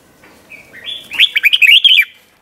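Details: Red-whiskered bulbul giving a 'beun' doubled-style song, '100 Archeep' tune for training young birds: a soft rising lead-in, then a fast run of seven or eight clear, bubbly whistled notes.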